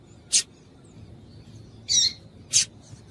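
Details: Double-collared seedeater female calling, a sound said to make males start singing; three brief, high, buzzy chirps, the middle one slightly longer, spread over about two seconds.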